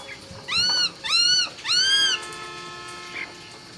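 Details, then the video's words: Laughingthrush singing at dawn: three loud, clear whistled notes, each rising then arching down with rich overtones, delivered in quick succession about half a second apart, followed by quiet background. "Nghe Tiếng Chim Khướu Hót Cực Hay"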